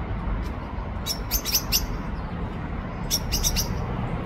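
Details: A common blackbird in Ljubljana Botanical Garden on 17 October 2024 gives sharp, high clicking 'chink' notes in two quick bursts of three or four, over a steady low rumble of distant traffic.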